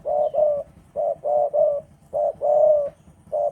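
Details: Spotted dove of the Javanese type, in strong breeding mood, cooing steadily: soft, low hollow notes in tight doubles and triples with short gaps, one note drawn out longer, over a quiet background.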